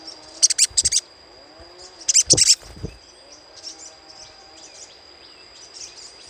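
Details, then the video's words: Little spiderhunter giving a lure chatter: two tight bursts of sharp, very high ticking notes about two seconds apart, then softer scattered high chips. A faint steady high whine runs throughout. "PANCINGAN SUARA CRECETAN SOGOK ONTONG"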